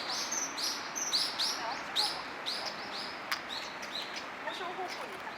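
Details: Common kingfishers, a male and female that hold separate territories outside the breeding season, starting a new courtship; shrill, high whistled notes repeated about once a second, sliding slightly, over a steady background hiss.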